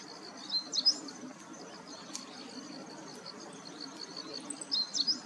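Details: Meadow bunting singing a clear, sweet song, filmed handheld with a Nikon P1000 camera: two short bursts of high, bright chirping notes, one near the start and one at the end, over a steady pulsing insect drone.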